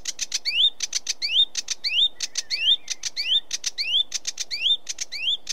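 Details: Sedge warbler alternating clusters of dry clicking notes with clear rising whistles, repeating this pattern roughly every half second in a lively, jerky phrase.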